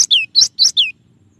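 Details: Cinereous tit known locally as gelatik batu, clear song variation: a brisk run of four notes alternating short high chips with falling slurred whistles, ending abruptly into near silence over a soft low hum.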